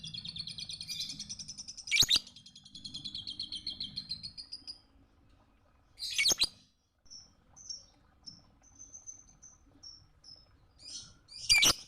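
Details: Lovebird song on a recording made for other birds to copy: a sustained bright, rapidly pulsing trill lasting several seconds, broken by loud sharp cracks, then thin high pips and more cracks.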